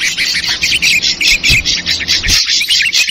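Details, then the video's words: Short burst of an ashy drongo lure call, 'trucukan ribut' version: harsh, buzzy pulses repeated roughly four to five times per second, fairly even, with a faint low thump midway. "Suara Pikat Burung Srigunting versi Trucukan Ribut"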